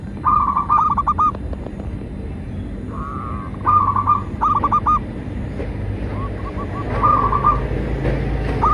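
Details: Zebra dove song used as a lure for captive and wild doves: repeated phrases of rapid stuttering coos, with softer, more distant-sounding coos in between, over a low steady rumble.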